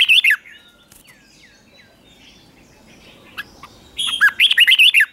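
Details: Red-whiskered bulbul morning song, used to stir birds to sing hard in contest. A brief warbled burst opens, then thin scattered chirps, then a longer run of rapid looping fluty notes.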